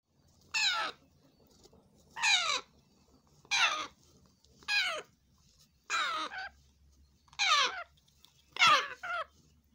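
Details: Grey parrot chicks in Nigeria give harsh, raspy squawks, seven in a row about every second and a half, each a short rough burst with a faint low hum underneath.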